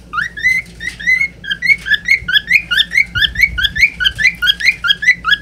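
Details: A young cockatiel sings a quick run of bright, rising whistled notes, each with a warbling edge, after a person coaxes it to say "pretty birdie".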